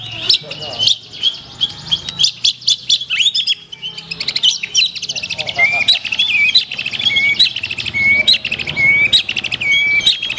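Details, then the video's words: Black-tailed white-rumped shama giving high, rapid trills and sharp whistled notes, the song shifting into a dense, chattering run of quick varied phrases. "SUARA BURUNG : Murai Batu Ekor Hitam, Tonjolan Mantap."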